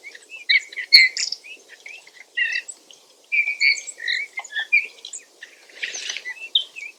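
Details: Creaky, subdued warble of a Eurasian bullfinch, jumbled short whistles and grating notes strung together, with one brief burst of rougher noise near the end.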